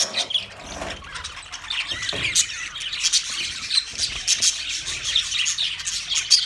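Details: Twenty budgerigar pairs chirping as a group, a continuous busy chatter of high squeaks and warbled trills, punctuated by a few sharper squawks and low knocks.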